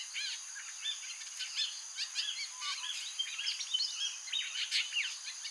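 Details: White-breasted woodswallows near Cairns give a busy run of short, sharp chirps and chattering notes, several overlapping, over a steady high insect hum.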